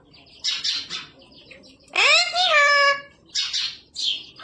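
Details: Parrot mimicking human speech: choppy raspy syllables, then a loud rising-and-falling voiced phrase lasting about a second, followed by two more short hoarse syllables. A person is talking to the bird nearby.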